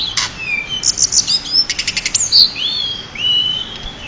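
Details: High, varied song of a champion pied bushchat: a sharp opening note, clipped rapid chirps, a piercing whistle, then long, smooth whistled notes that rise and fall.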